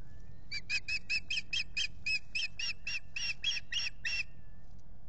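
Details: Nesting osprey pair at Salt Point beside a lake, spring 2021, recorded by nest camera on April 19. A long run of about sixteen piercing, whistled chirps, evenly spaced at roughly four per second, over a faint low rumble.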